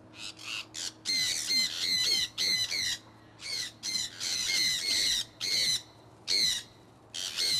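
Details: Loud, rapid screeching from a pet conure flock flying in Iowa in early spring 2003, with harsh calls tumbling over one another in bursts and brief pauses.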